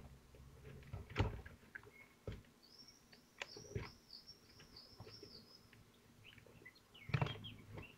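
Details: Common kestrel at a nest in Théding on 25 June 2023 during feeding, with prey being tugged at; a run of high, thin, repeated notes about three seconds long, between dull knocks and scraping at the nest.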